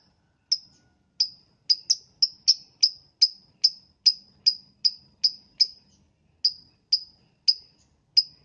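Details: Lovebird in the morning, giving a sound used to prompt other lovebirds to sing: a long, steady series of about eighteen sharp, high-pitched chirps, two or three per second, against a clean, quiet background.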